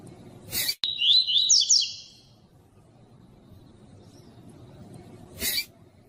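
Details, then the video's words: Double-collared seedeater singing to encourage other caged birds to sing: a single fast, high, buzzy trilled phrase lasting over a second, framed by two loud knocking clicks, otherwise quiet. "ESQUENTAR COLEIRO TUI TUI"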